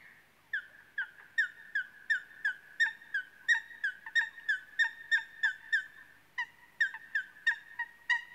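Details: Eurasian coot (Fulica atra) repeating a rapid, steady run of clipped, nasal notes, about three per second, with a brief pause before the series resumes; quiet surroundings.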